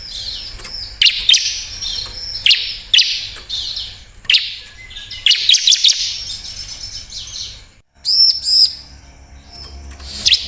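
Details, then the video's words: Bar-winged prinia singing, played to coax reluctant birds into song: rapid, high, twittering chirps in clusters about once a second, a short silence near the end, then a bright ringing burst. "Suara burung Ciblek Cocok Buat Pancingan yang males bunyi/Ciblek Bahan"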